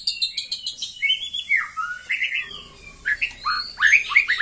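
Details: Female white-rumped shama call used to raise a male's breeding urge; rapid varied whistles and chirps, high trills giving way to descending slurred notes, a brief pause, then sharp rising and falling chips in quick succession.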